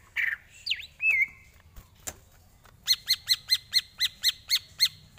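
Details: Greater green leafbird song, recorded as tutor material for training birds: a husky note and a looping whistle, a pause, then about ten evenly spaced, ringing, sharply accented notes.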